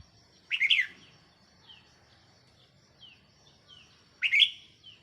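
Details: A red-whiskered bulbul used as a decoy bird, 4 May 2023, sings two rich warbling phrases about 3.5 seconds apart. Faint, thin, descending notes from another bird sound softly in the gaps.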